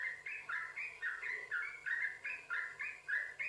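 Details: Yellow-vented bulbul song used to coax other bulbuls to sing: a continuous run of rapid, bubbly, chattering notes rising and falling, repeated about three to four times per second.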